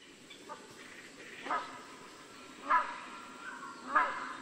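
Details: A Rhinoceros hornbill (Buceros rhinoceros) gives loud, harsh honking calls, three main blasts about a second apart, over a faint background hiss.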